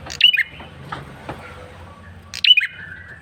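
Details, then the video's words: Persistent lure call from a male bar-winged prinia: two loud, piercing chirped phrases about two seconds apart, each a quick run of high squeaky notes, with faint clicks in between. "Suara PIKAT prenjak kepala merah jantan GACOR NGOTOT"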